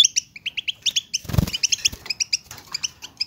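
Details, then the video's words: European goldfinches twittering in bitbita style to spur silent birds: crisp, high chirps in quick pairs and triplets, interrupted by a short low rumbling thump around the middle. "اتحداك اذا لم يغرد حسونك مع هذا التحفيز , بتبتة تقلق الطيور الصامتة"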